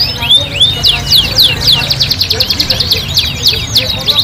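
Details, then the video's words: Energetic canary song for training caged kenari: sharp descending whistled sweeps, some rising, repeated several times per second in an uneven rhythm, high and clear above faint low-pitched background noise. "MASTERAN KENARI GACOR DOR MANDEK malas bunyi Pasti NYAUT"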